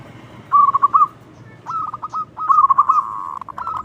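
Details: Loud local zebra dove used for luring other doves: a quick rolling cooing trill, a short pause, a few clipped notes, then a longer trill ending in a held note.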